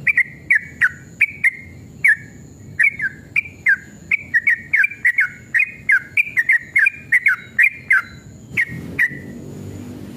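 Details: Agitated sooty-headed bulbul pouring out long rapid 'ropel' song, meant to coax other bulbuls into singing; a lively string of fluty, down-slurred whistles, ending with a couple of isolated notes and a rise in low background noise.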